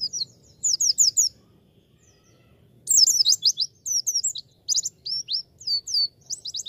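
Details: Javan white-eye song in a masteran recording for beginner birds: bursts of rapid, very high, thin twittering notes in quick series, with sweeping upslurred and downslurred whistles, separated by short pauses; a faint low murmur underneath.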